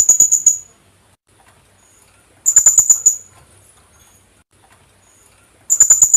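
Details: Philippine hanging parrot (kulasisi) call used as a lure: three bursts of rapid, shrill, high-pitched notes, each burst about half a second long, spaced roughly three seconds apart, in a quiet background.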